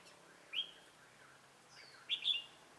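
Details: Red-whiskered bulbul, trapped with a decoy on 27 October 2017, gives two crisp, chirpy phrases about one and a half seconds apart, clear over a quiet background.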